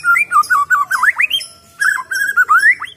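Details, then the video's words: Wild-caught White-rumped shama pours out a fast, varied song of wavering, rising and swooping whistles, pausing briefly before another looping phrase. "Suara Glondongan Asli Murai Batu Bikin Emosi"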